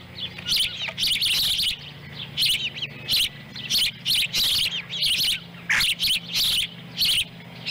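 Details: Montana osprey nest, Lolo, July 18, 2017: the adult female feeds a small fish to her chicks, one eating it whole while the other picks up dropped pieces. Shrill, piercing chirps arrive in clustered bursts separated by short pauses.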